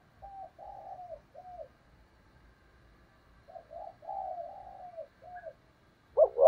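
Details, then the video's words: Soft, quieter coos from a decoy spotted dove used to attract wild doves: gentle, level, drawn-out notes in short runs, ending in one loud, abrupt double note. "Chim Cu Mồi/ cu gáy thúc gù cực đỉnh kích bổi dợt mồi hiệu quả"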